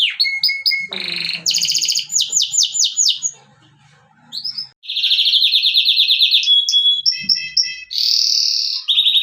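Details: Canary song in high, rapid, rattling trills and sharp chirps. A brief quiet pause near the middle, then a dense, buzzy rolling phrase and bright whistles close the passage.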